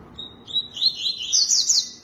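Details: Tui-tui singing a short, lively phrase: a thin high whistle, then a chain of quick rising and falling slurred notes that grow brighter and higher toward the end, over faint background noise.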